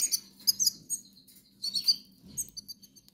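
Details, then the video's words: Goldfinch nestlings in the Canary Islands, hungry, beg with sharp high squeaks in quick clusters, ending in a run of fainter, evenly spaced peeps; a low hum runs beneath. "LOS PICHONES TIENEN HAMBRE"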